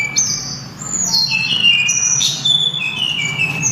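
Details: Sulingan, or tledekan gunung, in clear, melodious song: a series of high whistled phrases, each dropping in pitch, running almost without a break above a low background hum.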